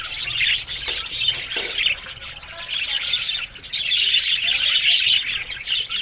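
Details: A colony of budgerigars kept in an aviary fills the air with busy, high-pitched chirping and warbling. Many voices overlap without pause, briefly dipping around the third second.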